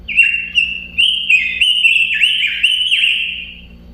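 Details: Robin singing a continuous stream of loud, sweet whistled notes with quick downward slurs and repeated twittering, steady and unbroken for several seconds.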